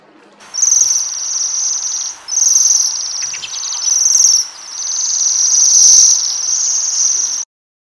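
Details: Waxwings at rowan berries utter very high-pitched metallic trills in four loud phrases roughly every two seconds, the last one extended, before the sound cuts off.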